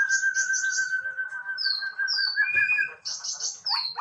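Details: Male white-rumped shama song: a long steady whistled tone near the middle range held for over two seconds beneath high buzzy trills, then clear downward-sliding whistles and a brief rough note.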